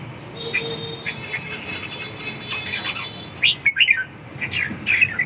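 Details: Red-whiskered bulbul sings a few sharp chirped phrases, mostly near the end, over a steady faint hiss and low background noise.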